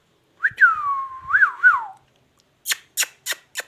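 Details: Ringneck parrot talking: a smooth whistled, voice-like phrase that wavers up and down for about one and a half seconds, then four short, sharp, harsh clicks or squawks spaced evenly in a quiet room.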